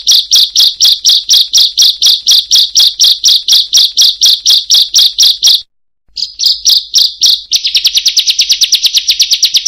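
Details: Series of loud high chips from a bar-winged prinia in open-beak calling, for training other birds; a brief silence interrupts, then the notes return and speed into a fast trill-like run.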